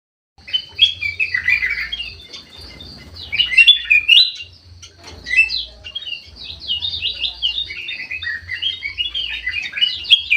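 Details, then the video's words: Bulbul of the white-eyed golden form singing actively in an aviary: bright whistled and chattering phrases that rise and fall, given in bursts with short pauses, over a faint low hum. "KUTILANG EMAS MATA PUTIH SUPER GACOR"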